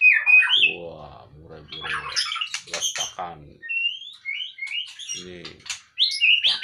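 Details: White-rumped shama, a bird handled outside its cage, sings whistled phrases sliding up and down, with harsh buzzy notes in between; lower voice-like sounds break in twice.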